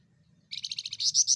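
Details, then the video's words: Javan fulvetta, a small insectivorous bird with a loud voice: a fast series of high buzzy notes that become louder and broader toward the end. "De flamboyante vogel is een kleine insectenetende vogel met een luide stem"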